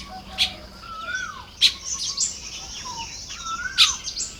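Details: Nest-building Baya weavers in Lopburi, Thailand, on an early-May morning: a few sharp chips, high buzzy twitters, and gliding whistles that fall in pitch.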